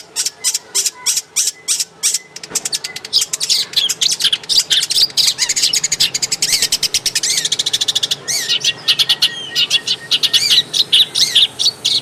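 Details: A long-tailed shrike in its original habitat pours out a long, rapid run of sharp staccato notes, accelerating into a dense chattering jumble with whistled slides, then slowing again into spaced notes.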